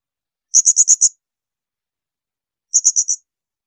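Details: Blue-crowned hanging parrot giving shrill bursts used for training songbirds such as magpie-robins: two very high, piercing bursts of five and four rapid notes, about two seconds apart, over silence.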